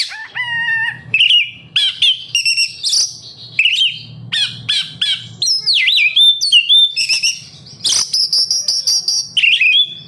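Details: Kept oriental magpie-robin giving lure song for other captive birds: varied loud whistles, buzzy notes and fast repeated chirps in quick bursts, over a low steady hum.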